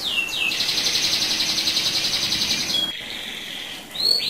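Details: Canary in a sustained rolling song used to stir other canaries: two falling whistles open a long pulsing high roll lasting over two seconds, then a softer tone and rising sweeps.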